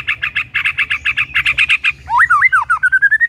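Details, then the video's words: White-rumped shama, used to prompt other shamas to sing, gives a fast run of about twenty harsh chattering notes, then rich whistled phrases that swoop up and down and end in a quick rising trill. "Murai Batu Jadi Ikut Gacor"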